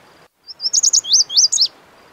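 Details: Lazuli bunting (Passerina amoena) delivering one quick, high song phrase: paired sweet notes, then rising and falling slurred whistles tumbling together over about a second, against quiet background hiss.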